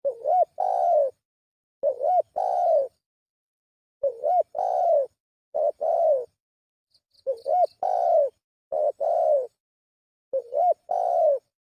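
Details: Spotted dove lure call, seven phrases at uneven gaps of one to two seconds, each a short curved hoot joined to a long soft coo, with no other sounds.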